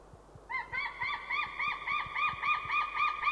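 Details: Ringed white-tailed eagles calling from a tree at a winter feeding ground in Estonia, January afternoon: a fast, even series of ringing, arched yelps, about four notes a second, starting after a brief pause.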